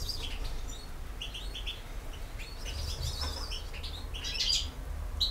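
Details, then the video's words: European goldfinch in campero song style: rapid high chirps and twittered notes in quick clusters, a brief buzzy trill toward the end, with a low steady hum in the background. "El Jilguero BiH 15"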